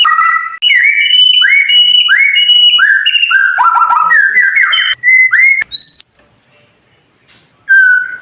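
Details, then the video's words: White-rumped shama song for training silent birds to sing: rapid repeated swooping whistles with sharp high overtones, a tumbling descending trill, a few short notes, a brief silence, then one more whistle. "Suara Murai Batu Masteran Cepat Gacor"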